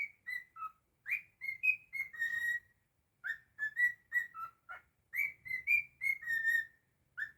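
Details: Pet cockatiel whistling indoors: clear tonal whistled notes around the upper mid range, short slurred phrases in three bursts separated by brief pauses, some notes rising then falling, with bright harmonics above.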